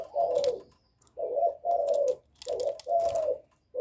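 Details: Spotted dove coos in the 'giọng thổ' style, a call used to provoke rival males; low muffled coos in short-long pairs, overlaid by repeated sharp tapping or clicking sounds.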